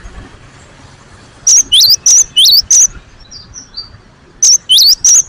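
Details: Energetic cinereous tit song for luring other birds: after near silence, a brisk series of five piercing whistled notes, then faint softer whistles, then another run of four slurred high notes.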